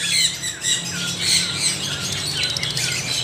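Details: A dense chorus of parrots making continuous shrill, grating squawks and short whistled notes, with no pause, over a faint low hum.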